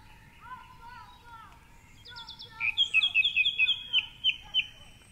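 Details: Male song thrush singing at 4.45am in the dark dawn chorus from a tall treetop perch by the Curragheen River path, Cork City; bright notes repeated in short runs, after softer lower whistles from other birds.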